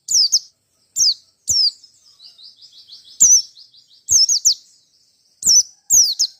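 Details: Wild Merapi white-eye in a combative singing bout: sharp, high descending whistles in ones and pairs, interrupted by a soft, low buzzy chatter in the middle.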